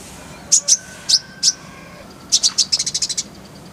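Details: Brown-throated sunbird in clear masteran 'tembakan' song: four spaced, sharp high chips, then a fast accelerating rattle of bright, very high notes.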